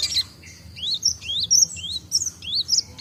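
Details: A learning cinereous tit (Gelatik Batu) just able to ngombyok; a series of clear rising whistled notes, each followed by a higher chip, repeated about every half second.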